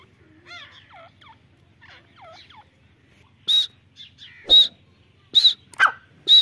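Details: Grey francolin, called Irani teetar, giving loud, sharp, high notes about once a second after a few softer, nasal, down-curving calls.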